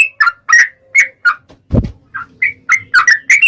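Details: Yellow-vented bulbul, lively singing: short bright whistled notes in uneven bursts, some doubled, interrupted midway by a low thud.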